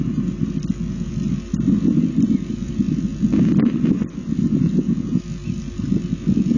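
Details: Steady low rumble of wind and distant engine noise outdoors, with no animal calls heard.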